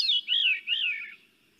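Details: Veery song of the eastern forests: breezy, reedy, spiraling phrases that slide downward in pitch and overlap with a hollow, echoing quality, likened to singing down a tube.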